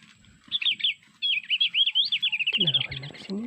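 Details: Mountain white-eye call from Sulawesi, played from MP3 as a lure for trapping with lime sticks: high twittering, warbling phrases with rapid rising and falling notes, then a mix of chirps and low clatter at the end.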